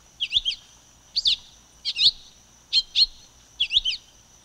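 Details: Ramphocelus carbo, the silver-beaked tanager, giving high, sharp double chips in six evenly spaced bursts, each pair slightly rising then dropping, against a faint constant high hiss.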